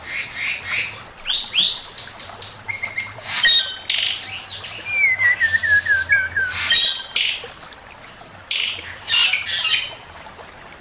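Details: Male Chinese hwamei delivering master song: varied whistles and chatter with a rapid falling trill of slurred notes midway, plus thin high sustained whistles near the end.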